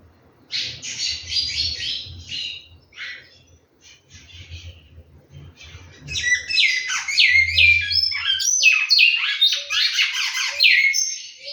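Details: Large-billed seed finch from a captive breeding setting: scattered short chirps and a pause, then an accelerating burst of fast whistled downslurs and warbles running continuously for several seconds, over a low background hum.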